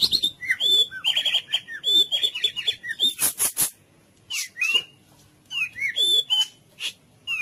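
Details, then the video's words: Captive-style training song of a white-rumped shama, cililin type: short whistled slurs and downward-swept notes mixed with harsh bursts and brief chirps, delivered in quick phrases separated by gaps. "MASTERAN MURAI FULL CILILIN"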